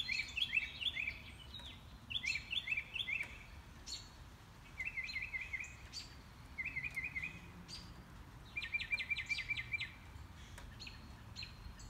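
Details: An unseen mockingbird running through its repertoire during a morning walk on 5/10. It gives bursts of rapid, high, chattering notes, repeating each phrase type three to six times before switching to a new one. Quiet gaps separate the bursts over a faint background hiss.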